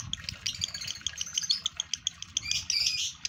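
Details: Caged male lovebird in breeding condition pouring out fast high squeaky chatter and sharp clicks, ending in a louder rasping warble.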